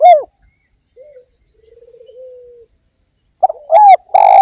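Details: Derkuku, the spotted dove, used as a song lure: a final loud coo, a long soft warbling murmur, then a new phrase begins with short notes and strong arched coos in quiet surroundings.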